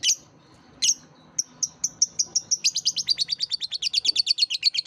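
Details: Young-lovebird training sound: two shrill squeaks, then a steady series of high thin chips that speeds up into a rapid, buzzy chatter of many notes per second.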